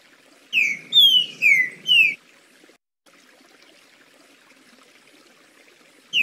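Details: Trinca-ferro, the green-winged saltator, in "liso" song: a quick phrase of four rich, downslurred whistles, then a long quiet pause before one more note begins at the end.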